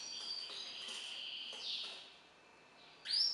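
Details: Goldfinch × hooded siskin (Magellan siskin) hybrid sings a high, thin twittering warble with buzzy trills, ending in a sharp, bright high note.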